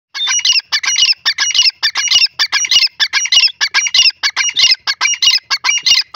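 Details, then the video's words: Grey francolin, locally called dakni teetar, calling loudly: harsh, squawking notes in rapid clustered bursts, repeated steadily about every half second without pause throughout, over a quiet background. "greyfrancoline voice,dakni teetar ki awaz"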